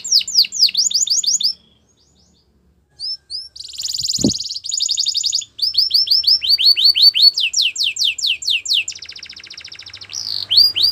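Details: Canary song of sweeping descending notes and buzzy rolls, interrupted by a pause and a single loud click, then resuming with repeated swooping tours.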